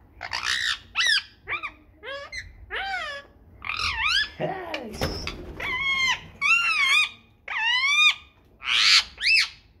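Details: Rose-ringed parakeets indoors during kissing behaviour: a string of squawky, whistled notes with many sliding up-and-down inflections. The notes come in short bursts about every second, with a brief rough scratchy sound in the middle.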